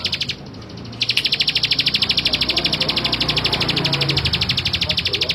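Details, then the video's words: Male Bar-winged prinia giving a long, even run of rapid, sharp high notes, about ten a second. The run starts after a short pause near the beginning, with faint low background noise underneath. "Suara Ciblek Sawah Jantan"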